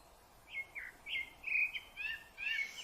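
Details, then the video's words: Rufous-bellied thrush (sabiá-laranjeira) from Brazil singing a string of short, clear, warbled phrases in quick succession, each slurred up or down, growing slightly richer toward the end over a quiet background. "Canto do Sabiá Laranjeira"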